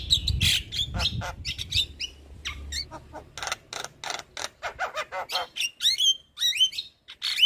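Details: Javan myna (white-eyed jalak kebo) used as a lure to prompt idle birds to sing: rapid clicks and rasps give way to repeated hooked whistles rising and falling, several times over.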